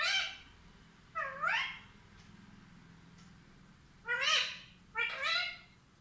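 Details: Talking parrot giving four separate nasal, bending syllables in two pairs with a quiet gap between them.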